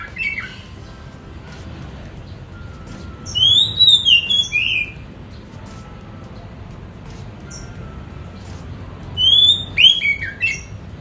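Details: An Oriental magpie-robin (kacer), bathed in the morning and then placed in a bathing cage, sings two bursts of loud, varied, sliding and warbling whistled phrases separated by a quiet pause, over a faint background hum.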